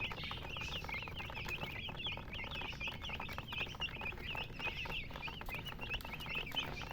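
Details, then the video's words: Baby chicks giving continuous high chirps, short curved notes in a crowded chorus, rhythmic and unbroken, with light scratching and rustling underneath. "Witty MURGI Baby "Chicks Chirping" Sound"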